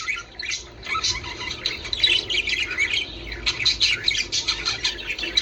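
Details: Budgerigar chatter used to encourage breeding: soft start building into dense, high, scratchy warbling and chirps from overlapping birds.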